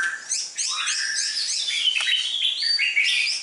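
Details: Red-whiskered bulbul prepared for song competition, slim build and dark bib, pours out a continuous, busy stream of twittering and sliding whistled notes with no break.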